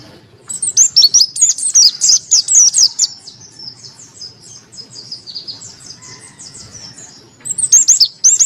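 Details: Monty-type white-eye with a crystal voice, kept as a song tutor and to coax quiet birds to sing. A dense volley of shrill, high chirps, a softer twittering stretch, then another loud burst.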